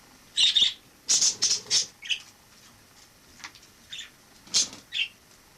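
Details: A wild sparrow living indoors as a household member after flying in through a balcony in autumn 2006. It gives bursts of sharp, high chirps, several in quick succession, then scattered fainter chirps in a quiet room.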